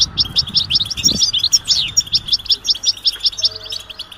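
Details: Mating and readiness calls of a European goldfinch, meant to prompt a quiet male to sing: quick run of sharp, high chirps about three per second, with a few rising, slurred notes mixed in.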